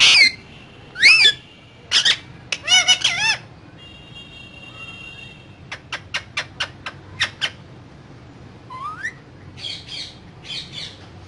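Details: Parrot said to be talking: loud harsh squawks and wavy whistled notes, a brief steady tone, then a run of crisp evenly spaced clicks, a rising whistle and softer buzzy chatter.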